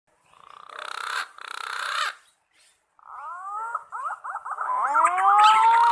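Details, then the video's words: Green pigeon calling in the wild: two short buzzy harmonic bursts, a pause, then a series of wavering whistled notes that slide up and down, ending in a long, clear, slowly rising whistle. "Suara Burung Punai Gacor Di Alam Liar"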